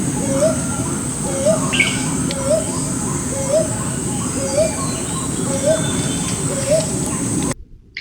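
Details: A Brown boobook (Brown Hawk-Owl) at Rajarhat near Kolkata gives soft, short, upslurred hoots about every 0.7 seconds, over a steady low rumble of background noise and faint voices.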